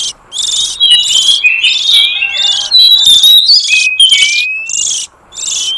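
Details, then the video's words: Oriental magpie-robin lure recording: harsh buzzy blocks interleaved with thin, clear whistles that slide upward and downward, phrases running almost continuously before a final pause. "Suara pikat burung kacer liar hutan ampuh"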